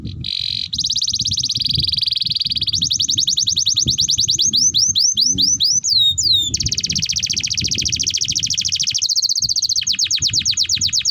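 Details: Extended canary song serving as a training master for other canaries: sustained buzzy trills, swooping whistled phrases, runs of fast descending notes and a lower buzzy section, continuous and high-pitched over faint low rumble.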